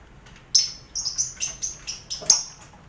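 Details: Colony-cage lovebirds kept with finches and quail, used for contest-bird mental training: after a quiet start, a run of sharp high chirps repeats roughly every quarter second, ending in one stronger shrill note.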